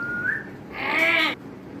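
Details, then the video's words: Parrot talking clearly: a short steady whistled tone that lifts slightly, then after a pause a loud, rich, voice-like utterance of about half a second, ending abruptly, in a quiet room. "clear talking parrot"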